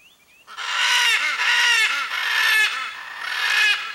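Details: Blue-and-yellow macaw vocalizing to locate its mate: a brief soft whistle, then a loud sequence of four or five harsh, screeching squawks delivered almost back to back over three and a half seconds.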